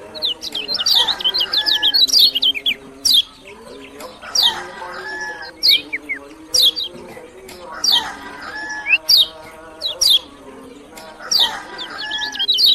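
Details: Lombok lemon-bellied white-eye singing bursts of rapid, high, steeply falling chirps and twittering notes, with isolated sharp notes between bursts and a repeating layer of lower harmonic tones in the background.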